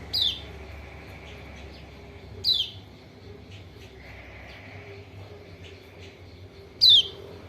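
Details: Lure call of a white-eye, locally pleci lombok or kecial kuning, meant to prompt a silent bird to answer: three high, downward-slurred chirps, widely and unevenly spaced, with faint background hum.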